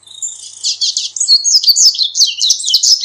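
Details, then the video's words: Corbatita song played for teaching birds to sing and for calling birds: a rapid, high twittering run of buzzy, warbled notes that rises in loudness and continues without pause over about three seconds. "CORBATITA CANTANDO - MEDIA HORA DE CANTO DE CORBATITA"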